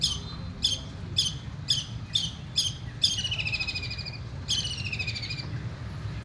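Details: Long-tailed shrike kept at home, singing: a series of sharp descending chirps about every half second, then longer buzzy downslurred trills, over steady low background noise.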